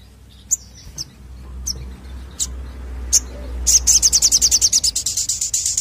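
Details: Crested jay lure recording: a few widely spaced piercing chirps, then a long, even, high rattle of rapidly repeated notes that speeds slightly toward the end.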